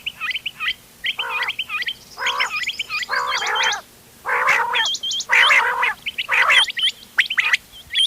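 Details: Combined calls of ghungay wal, doghla and changa quail for hunting, 31 October 2025: gargling, rasping harmonic bursts about once a second, mixed with clusters of high hooked chirps.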